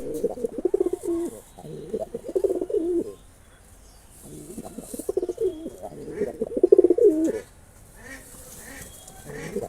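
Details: Male pigeon cooing to impress a female: deep, throaty rolling coos in two long bouts of about three seconds each, separated by a short pause, with a third bout starting at the end.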